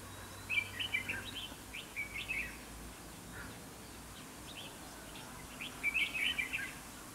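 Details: Trapping decoy red-whiskered bulbul singing to draw rivals into a fight: quick chirpy warbled phrases near the start and again at the end, a quiet gap between, faint low background hum.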